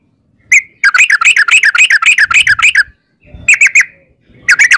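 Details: Yellow-vented bulbul in long 'ropel' singing style: quick runs of bubbly, warbled notes near mid-high pitch, about four per second, broken by short pauses and a few single chirps.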